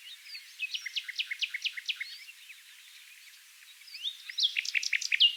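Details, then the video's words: Nightingale singing near Oostkapelle, the Netherlands, in a dune valley: a series of about ten loud evenly repeated notes speeding up, a quieter spell of distant chorus, then a loud jumbled phrase of sharp notes. "Gorgeous nightingale song choir (Luscinia megarhynchos)"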